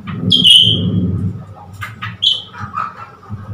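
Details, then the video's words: Blue-winged leafbird, newly acquired, coaxed into singing at a mirror, recorded 10 February 2021: a bright whistled note sliding down, then short buzzy chips and a falling whistle over a low steady hum. "นกเขียวก้านตองปีกฟ้า นกใหม่พึ่งได้มา หลอกให้เล่นกับกระจก"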